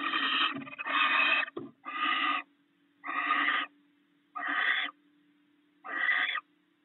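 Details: Barn owl pair at the nest in the early morning after the male brought rats overnight, sharing the meal; six harsh, rasping hissed bursts about half a second long with short gaps, over a steady low hum.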